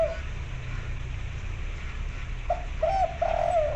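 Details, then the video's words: Local white-barred zebra dove, a female calling a male to mate, gives a brief burst of soft, arched cooing notes late in the recording, rolling into a short trill, over steady low background hum. "perkutut lokal gacor suara besar putih lurik betina panggil jantan"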